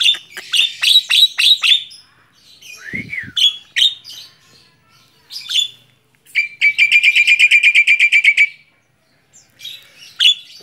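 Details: Tame Javan myna singing while perched on a person's hand: bursts of sharp chirps, a slurred dipping whistle, then a fast even rattle of about fifteen identical notes before scattered tweets.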